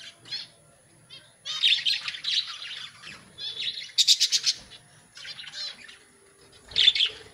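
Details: Budgerigars in a breeding colony where the young have left the nest: bursts of busy, scratchy high chirping and warbling in several short spells, with a rapid pulsed rattle in the middle and quiet gaps between.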